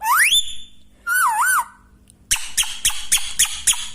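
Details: Pet Indian green parrot (rose-ringed parakeet) kept indoors: a fast rising whistle, then a wavering warbled whistle, followed after a pause by a rapid series of harsh, scratchy squawks, about seven in quick succession.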